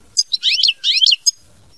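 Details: European goldfinch giving a dense phrase of mama binette song: two long, bright, twittering runs of mixed high notes, framed by short sharp chips at start and end, against a quiet background.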